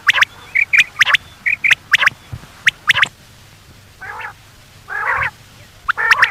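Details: Common quail calls used by hunters to lure quail at night: sharp whistled notes in quick groups of two or three, then harsher, buzzy rasping calls, with loud clicking pops between.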